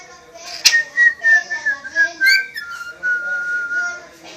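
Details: Pet whistling parrot, said to wolf whistle and whistle tunes including a film marching song but shy in front of the camera. A sharp click, then a string of pure whistled notes slurring gently downward, ending in one long held tone.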